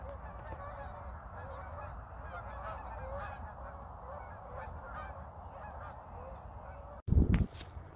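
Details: A winter flock of Canada geese passing over north Idaho, with no snow yet: a continuous distant clamor of overlapping honks over low rumbling noise, ended by a sudden loud thump.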